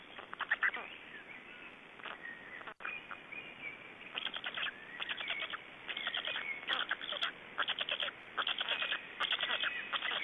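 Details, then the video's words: Estonian black storks feeding at the nest on an evening in late May 2012: after a quieter start, runs of harsh, stuttering rasps come in clustered bursts, with a faint drawn-out whine between them. "Estonian Black Storks - Feeding"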